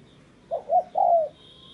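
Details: A single short phrase from a spotted dove used as a tree decoy: two quick low coos and then a longer, slightly falling croo, over soft background noise.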